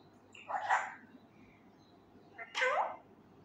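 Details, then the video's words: Male Indian ringneck parakeet, an untrained pet learning to talk, loudly imitating words like "kia howa": two throaty, speech-like utterances about two seconds apart, each with a bending, slurred tone. "MY Talking Raw Male parrot try to learn words loudly (kia bol rha ho me,kia howa,kia hogaya,Mithu he"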